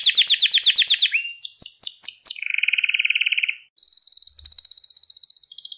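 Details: Song of a pet canary, used to train young canaries: fast descending trill, several sharp sweeping notes, a buzzy low roll, then a steady high rattling trill.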